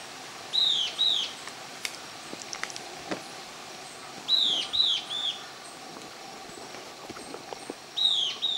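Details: Euler's flycatcher, a territorial bird of the Amazon foothills, at Mishquiyacu, Moyobamba, gives short bursts of two or three clear, high, down-slurred notes, repeated about every four seconds over a faint hiss of distant insects.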